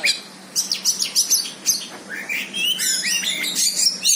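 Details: Champion Oriental magpie-robin singing at a rival it meets and fights; short clipped notes repeated several times per second, then clear rising whistles and rich warbled phrases toward the end.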